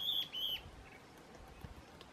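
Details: Stripe-backed antbird, locally called piu-piu or tem-farinha-aí: two short, clear whistled notes at a steady high pitch, the second slightly longer, followed by faint background hiss.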